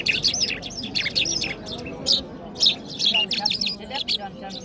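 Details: In Kabul, Afghanistan, an Iranian Mashhadi jal bird in singing mood gives bursts of bright jumbled chirps and twitters separated by short pauses, over soft background murmur.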